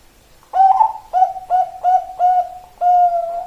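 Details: Indonesian-style song from a Bangkok zebra dove: an upward opening coo, then a string of short mellow coos at a steady pace, closing on a longer held note.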